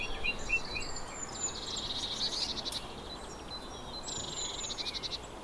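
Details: Eurasian blue tit calling: high, thin notes followed by two buzzy, rapidly pulsed churring bursts, the second after a short pause, over steady low background noise.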